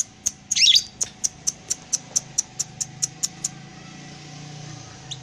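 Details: Lovebird performing a long ngekek while moving its tail: one harsh chattering burst, then a quick string of sharp high clicks that stops, leaving a low hum.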